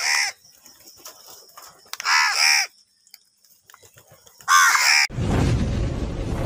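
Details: Crows call angrily while fighting for food, giving three separated bursts of rough, buzzy cawing. A loud broadband rumble, like handling or wind noise, takes over the final second and a half.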